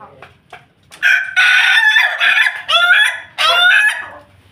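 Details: Ayam Ketawa rooster kept with a family of Pelung and Bangkok chickens, crowing: a loud, harsh crow broken into four quick segments with stepped, wavering pitch, preceded by a few faint clucks and fading into quiet background.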